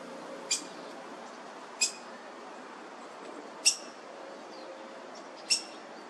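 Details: At a laurel nest in a South Eugene front yard, 26 June 2023, black-headed grosbeak parents feed three nestlings. Four crisp, high clicking notes roughly every one and a half to two seconds over a low mechanical pressure-washer hum.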